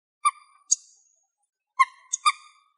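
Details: A hungry young common moorhen, feeding on grass in Greece, gives short, sharp, slightly nasal call notes: two single notes, a pause, then a quick burst of three.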